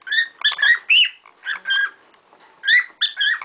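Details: Several pet cockatiels kicking up a storm: bursts of loud whistled chirps with rising and falling notes come in quick clusters, separated by short pauses.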